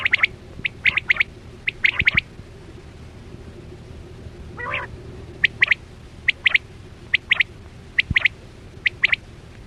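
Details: Chora batera quail calling as a hunting lure beside nets, 2024-25 season: short clipped chirps in pairs and triplets, repeated roughly every second, with a brief harsher squawk midway over a steady low hum.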